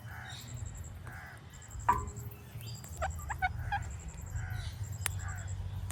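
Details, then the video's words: An Indian ringneck parrot produces natural clicks, a loud snap near two seconds, then quick clicking bursts and brief nasal chirps, with a constant low background hum throughout. "Indian Ringneck Parrot Making Natural Clicking Sounds"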